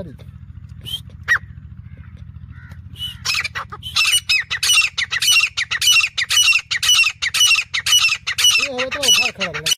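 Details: Grey francolin, its call used to attract birds for hunting; a few scattered notes, then from midway a fast, regular run of loud, high ringing calls, over a constant low hum.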